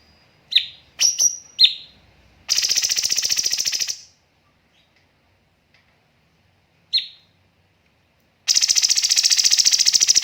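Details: Grey-cheeked bulbul training master with pauses and rapid tembakan bursts: sharp falling notes and a high whistle, a fast buzzy rattle of about one and a half seconds, a long pause, one note, then another rattle.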